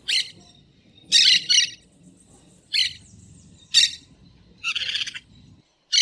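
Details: Green parakeets in nature uttering six abrupt, harsh, buzzy screeches, a couple in quick pairs, separated by brief silences with a soft low background hum.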